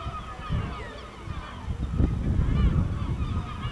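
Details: Over a village in El Ortegal at dusk, several gulls keep up overlapping, wavering yelping calls, partly masked by bursts of deep wind rumble.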